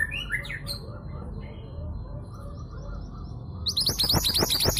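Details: Female long-tailed sibia of local East Javan origin, played to prompt males into song: a few whistled notes at the start, a quiet stretch, then a burst of fast high rattling chatter.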